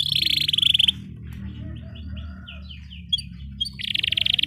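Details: Canary 'ngerol' song meant to stimulate silent canaries: a dense rolling trill opens, then soft scattered chirps over a constant low background rumble, and a second rapid roll closes.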